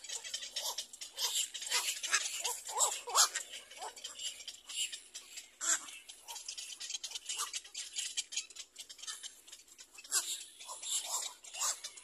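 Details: An adult little black cormorant about to feed its chick gives harsh, raspy squawks in quick, uneven bursts of several per second, with hissy background noise throughout.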